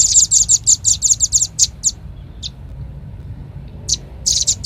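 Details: Velvet-fronted nuthatch lure call, played to attract birds: fast bursts of very high, sharp chips, about three a second, then a near-silent pause broken by single notes, and the chipping starts again.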